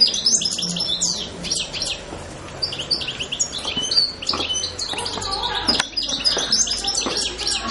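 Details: European goldfinch giving high liquid twitters and chattering notes, nearly continuous and busy, with faint low background rumble.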